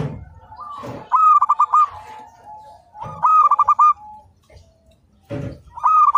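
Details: Local zebra dove singing actively, recorded as a training master: crisp stuttering coo phrases that tumble into a trailing note, repeated about every two seconds, each preceded by soft thumps.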